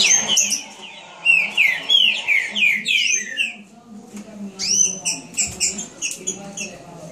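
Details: Green-winged saltator singing fast, shown for its speed: rapid run of clear, downslurred whistled notes, about three per second, then a pause and a second burst of bright slurred whistles; faint low hum beneath.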